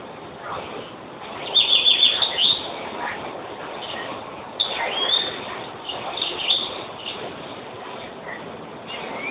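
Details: European greenfinch singing: bursts of bright twittering chirps and short trills, louder around the second and fifth to seventh seconds, over a steady muffled background hiss in a low-fidelity recording.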